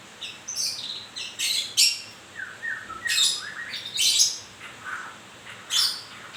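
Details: White-rumped shama in moult singing high chips and buzzy rasps interleaved with a descending series of whistled notes, phrases about every second.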